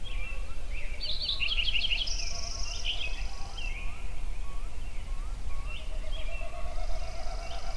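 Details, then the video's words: Songbirds at sunrise in Yellowstone: a dense chorus of short rising whistles, a fast chattering trill near the start, and a long steady high buzzing trill, over a constant low rumble. "Sunrise Songbirds at Yellowstone"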